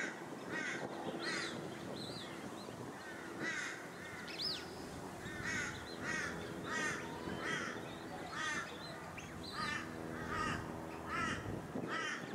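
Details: Plumed whistling-ducks on the Sunshine Coast, Queensland, in August 2023: many short whistled notes with a wavering rise and fall, given in rapid overlapping bursts over a steady rushing background.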